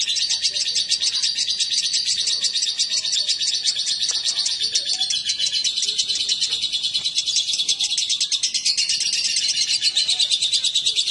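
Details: Shrill, nonstop twittering from a male and a female lovebird after they are put together. Quick buzzy chirps blur into a constant chatter that swells toward the end.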